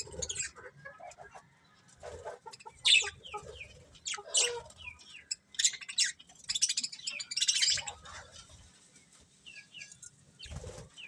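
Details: Colourful pet budgerigars chirping: a busy mix of short warbled notes, buzzy chatter and quick upward-sweeping chirps from several birds, with soft low rumbling underneath.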